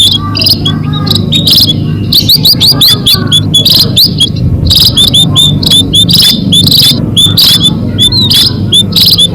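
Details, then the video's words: Lure call of munias used to catch birds: a constant flock chatter of high, thin, upswept peeps and chirps in fast overlapping runs, over a steady low rumble. "SUARA PIKAT BURUNG BONDOL ATOU BURUNG PADI"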